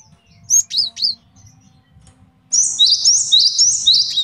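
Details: Male cinereous tit, a master song for training and trapping birds: a few isolated high whistled notes, a pause, then a quick regular series of repeated two-note phrases.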